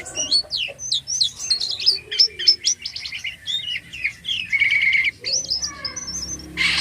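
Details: Jalak kapas (white-shouldered starling) singing actively, a rich fast medley of high whistled, chirping and twittering phrases, changing notes every fraction of a second, with a short harsh burst at the end.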